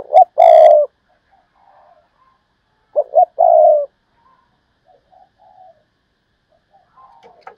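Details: , a decoy calling in 'thúc bổi' style: short double note plus drawn-out low coo, repeated about three seconds apart, with soft far-off coos in between.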